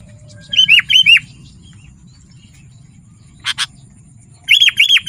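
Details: Chirpy sooty-headed bulbul song for luring wild birds and training: two pairs of clear down-slurred notes, a brief harsh double crack midway, then a closing cluster of bright chirps over quiet background noise.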